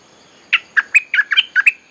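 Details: Lure song of a bulbul for calling wild birds: a bubbling phrase of about seven quick, liquid chirped notes alternating up and down in pitch.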